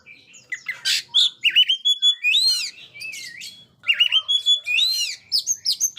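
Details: Oriental magpie-robin, or kacer, singing lively for still-silent young birds: a dense, varied stream of rising and falling slurred whistles with one short break midway.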